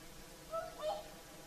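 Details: Whooper swans giving their evening song on the Lake Saimaa shore in Finland at sunset; a quick pair of trumpeting, horn-like honks, the second slightly longer, with quiet background hiss.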